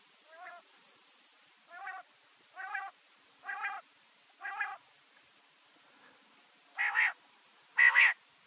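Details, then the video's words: Quail calling: a run of five short nasal, harmonic-rich notes spaced about a second apart, a brief pause, then two louder, brighter double notes at the end against a quiet background. "Best quail call sound"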